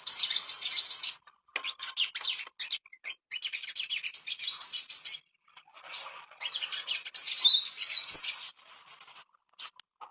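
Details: Ashy tailorbird song played as a master recording to bring on breeding condition: dense, scratchy high chatter mixed with rapid rising whistled notes, in bursts of one to two seconds with brief gaps.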